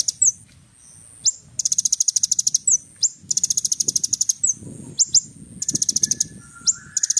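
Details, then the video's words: Little spiderhunter in vigorous, richly varied song: bursts of very rapid high chipping alternate with single sharp slurred notes, and a faint soft low rumble sits underneath. "SUARA BURUNG KOLIBRI NINJA GACOR FULL ISIAN MEWAH"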